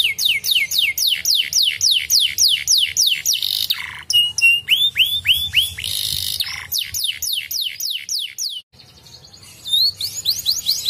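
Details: Canary singing to stimulate other canaries: series of strong descending sweeps at a brisk pace, buzzy rolls, short clipped whistles and repeated rising notes, with a brief pause near the end.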